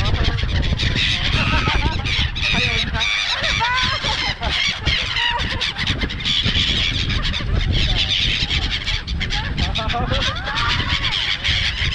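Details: Crowd of seagulls at Songdo in Busan, South Korea: dense overlapping harsh squealing calls and bent mewing notes, constant chatter from many birds over wind noise and faint human voices.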